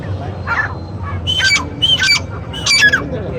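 Black francolin giving three loud, harsh, grating notes about half a second apart after a soft opening note, over a low background hum.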